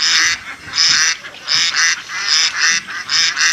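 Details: Village ducks in Assam, India, playing in water, utter strong raspy quacks in rapid groups, overlapping calls running nearly continuously with brief gaps every half second or so.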